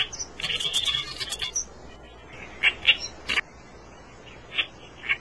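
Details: Reed warbler opening with a fast, scratchy chattering phrase, then slower scattered harsh single notes separated by short gaps.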